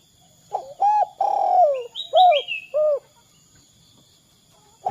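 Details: Spotted dove used as a calling lure for other doves: short coo, long falling coo and two clipped notes, with high thin chirps from a smaller bird overlapping the middle of the phrase.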